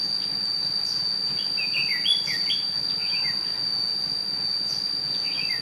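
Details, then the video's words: Red-whiskered bulbul singing at a bird trap on 8 June 2016, used as a decoy to call in wild birds; short whistled, warbling phrases come in bursts over a loud, steady high insect-like drone. "Bẫy chào mào"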